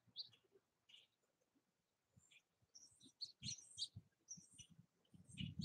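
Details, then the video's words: Purple martins active around their nest houses in Southwest Missouri: scattered short chirps and squeaky notes, some rising, clustering into busier chatter in the second half, over low rumbling background noise. "Purple Martin activity at bird houses"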